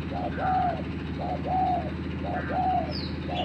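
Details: A spotted dove lure bird faces a newly trained dove. It gives repeated soft coo phrases, each a short note then a longer arched one, about once per second, against a constant low droning background.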